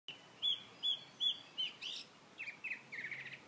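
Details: Song thrush singing at Edinburgh Botanic Gardens on 29 May 2013: a clear whistled note repeated three times about every 0.4 seconds, then a scratchy phrase and a run of short buzzy notes repeated rapidly, over faint background hiss.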